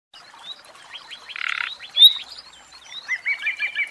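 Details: A caged common nightingale sings a varied, high phrase: quick repeated notes, a dense buzzy rattle, a sharp whistle, then a fast run of churring notes.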